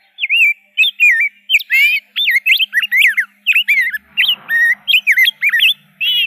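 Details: Rose-breasted grosbeak pouring out a long, lively warble of sweet whistled notes, sharply bending and closely spaced, with a brief burst of broad noise midway and a faint low hum.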